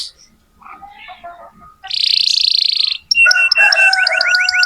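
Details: Young canaries being tutored with a lively singing canary; quiet warbling at first, then a loud buzzy trill, then repeated rising whistled notes over a steady high tone.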